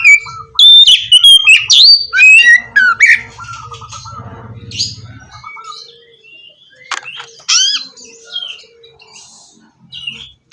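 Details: Oriental magpie-robin singing for a bird that has stopped singing. Loud quick whistles and rasping notes open the stretch, then soften into scattered twitters over a low murmur, with a few sharp upswept calls later.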